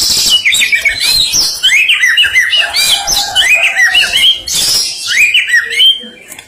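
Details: White-rumped shama from Medan singing at full volume: a fast, unbroken stream of bright whistled and chattering phrases that rise and fall sharply, full of imitation fills and forceful burst notes.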